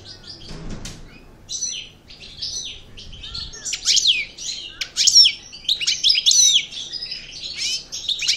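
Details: European goldfinch of the parva subspecies from El Bordj, just out of moult and working its song back up: rapid tinkling twitters and liquid trills, high and bright, in uneven bursts with short pauses; a faint low thump near the start.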